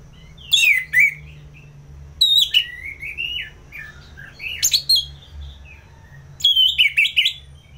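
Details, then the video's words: Ngeplong-style song of an orange-headed thrush from Singaraja, North Bali, used for tutoring and triggering fighter birds: four loud bursts of sharp descending whistles and slurred notes, separated by quieter gaps, with low background hum. "ANIS MERAH Ngeplong || Masteran & Pancingan Burung Fighter Ngelawan"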